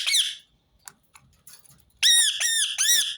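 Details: One sharp parakeet screech, a pause with faint rustling, then three loud, ringing screeches in a row. Rose-ringed parakeet calls repeated to get other birds singing.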